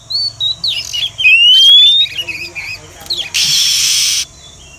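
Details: Female Oriental magpie-robin call, used to draw wild birds to a trap. Wavering whistled notes lead into one long rising whistle, then softer warbled notes, ending with a loud burst of rustling noise.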